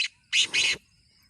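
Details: Black francolin (kala teetar) call, played to get kept francolins calling: two loud, harsh, scratchy bursts in quick succession, each under a quarter second, in a quiet background.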